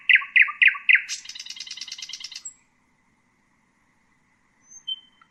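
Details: A common nightingale (Luscinia megarhynchos) gives four loud, evenly spaced notes, then a dense buzzy rattle lasting over a second and a high thin whistle. A quiet silence follows before two faint high whistles.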